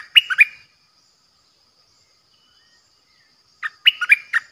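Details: Decoy bulbul recorded 8 May 2021 giving a short burst of three or four bubbling notes, a long quiet pause, then a fuller phrase of rapid, liquid, jumping syllables.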